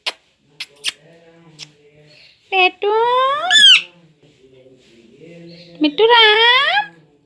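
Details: Young household parrot, nine months and nineteen days old, talking in Hindi: a few sharp clicks, then two loud rising, sliding vocal phrases that sweep upward at their ends, with a low human voice faintly behind.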